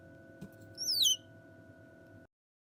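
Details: Salmon-crested cockatoo chick, under one month old, indoors: one loud, high, thin whistle slides steeply downward in about a third of a second, over a steady low electrical hum.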